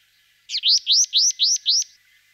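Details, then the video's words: Sombre tit giving a series of five clear, bright notes, each sweeping up then dropping, repeated about four times a second at a steady rhythm, with a faint thin hum underneath and otherwise quiet surroundings. "Parus lugubris / Sombre tit"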